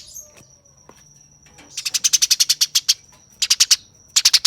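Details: Eurasian tree sparrow fighting chatter. After a quiet start, a quick string of grating chirps begins, followed by shorter bursts of the same rough, rapid notes over a steady high hum.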